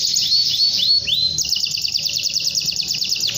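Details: Canary calling a rival with sustained song: a few upward-curving whistled sweeps, then a fast, regular buzzy trill of high pulses running to the end, low hum beneath.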